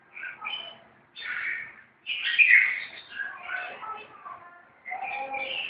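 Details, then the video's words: Red-whiskered bulbuls fighting: bursts of harsh, chattering and warbled notes in several overlapping phrases separated by short pauses. "chào mao đánh nhau"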